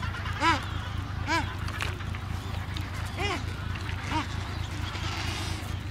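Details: Adélie penguins breeding on Paulet Island, Antarctica, 1 February 2019, in a colony of about 150,000 pairs: clear honking calls with rising-then-falling pitch repeat roughly every second, over a low steady rumble.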